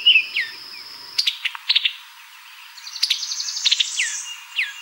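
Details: Brazilian tanager: short downward-sweeping chirps and thin high notes, broken by sharp clicking bursts and a quick rattling series near the end, with a steady high hiss in the background.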